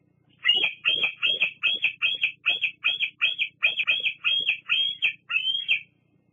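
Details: Bald eagle youngster squeeing at a parent at Fraser Point, August 8, 2022: a fast, steady string of about fourteen thin, high squealing whistles, each rising and then dropping sharply.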